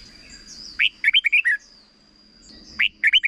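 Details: A red-whiskered bulbul sings its short training phrase for young birds: a lively string of six chirpy, rolling whistles, silence, then the phrase begins again with three notes; a faint thin tone runs through.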